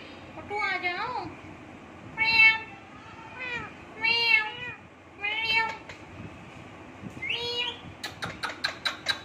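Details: Indian ringneck parrot perched on a hand, talking to its owner: a series of harmonic, speech-like warbled phrases about every second, ending in rapid clicking ticks, over a low room hum.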